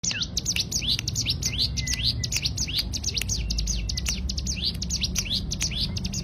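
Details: Cigun bird in rapid 'tembakan' burst song used as a tutor recording for training songbirds: dense run of sharp, high, downward-sweeping chirps, tightly packed for six seconds, with a faint low rumble underneath.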